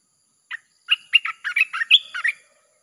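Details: Red-whiskered bulbul singing, a lure for wild birds: one lively phrase of about nine clear, slurred whistled notes, some rising, run together over roughly one and a half seconds.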